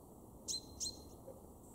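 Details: In a Weener garden in East Frisia, Germany, March 2023, a male chaffinch utters two clipped, piercing metallic notes in quick succession, followed by quiet.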